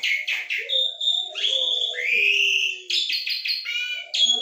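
An Asian pied starling sings a busy, varied medley of whistles, slurred rising notes, harsh chatters and rapid stuttered phrases, mimicking many sounds in quick succession.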